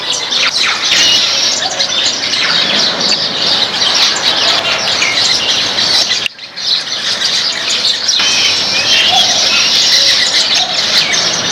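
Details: Backyard flock of baya weavers feeding on grains fills the air with loud, continuous high chirping and twittering, briefly dropping away for a moment midway before resuming.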